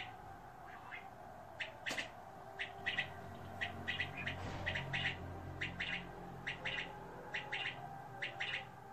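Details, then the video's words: King quail giving short, sharp chirps, repeated roughly once a second in an irregular rhythm, over a steady low hum. "Çin Bıldırcını"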